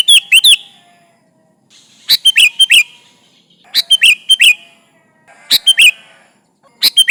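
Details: Sooty-headed bulbul singing persistently to call rivals, used as a lure: short bubbly phrases of quick slurred whistles, each a burst of three or four notes, repeated roughly every one to two seconds with brief faint echoes between.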